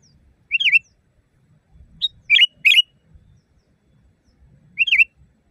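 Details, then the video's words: Sooty-headed bulbul with a loud, natural voice, recorded for training caged birds. Bubbly, slurred whistled phrases come in short bursts, some doubled, with faint low background noise. "Masteran burung kutilang di tempat raja kutilang. Suara keras fulll alam"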